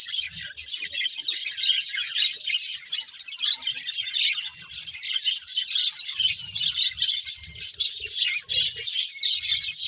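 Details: Budgerigars chatter without pause, a bright, buzzy stream of high tweets and warbles from a group, with low thumps in places.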